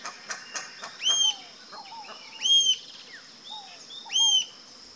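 Rufous-tailed Jacamar giving three loud, high, sharp calls about every one and a half seconds, with softer chips and short whistles from other birds between them.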